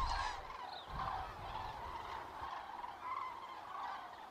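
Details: Migrating common cranes in autumn, 31 October 2022, Lahn-Dill-Kreis, central Hesse, Germany, in poor weather: fainter, more distant trumpeting calls at intervals over low rumbling background noise.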